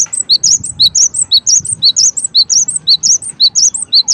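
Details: Cinereous tit singing a steady, fast series of high, clear whistled notes in a repeating three-note figure, about twice per second throughout, with low rumbling noise faintly beneath.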